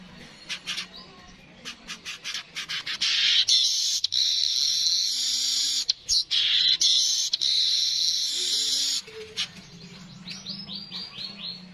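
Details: Streaked weaver: scattered dry ticks lead into a long hissing, sizzling buzz with brief breaks, ending in a series of quick descending chips.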